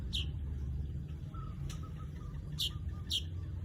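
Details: Weaver giving three or four quick, harsh chirps, two close together near the end, each falling in pitch, over a loud low rumbling background.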